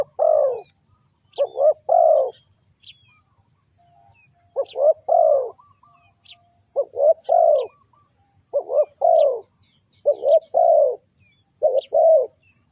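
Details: Spotted dove coos used as a lure for trapping: a long series of deep, husky three-note phrases, the last note drawn out and falling, repeated roughly every one and a half seconds.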